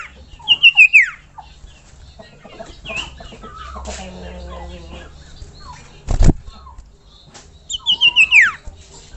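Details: Common iora (sirtu, cipoh) song for masteran: two bursts of four or five loud, rapid, descending whistled notes, separated by softer chirps and one sharp knock.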